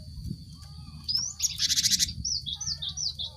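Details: Cinereous tit lure song for stimulating group-caged birds to sing: a rising whistle leads into a loud rattling buzzy burst, followed by a run of short sharp downslurred notes. Faint lower whistles, a constant high tone and low rumble persist.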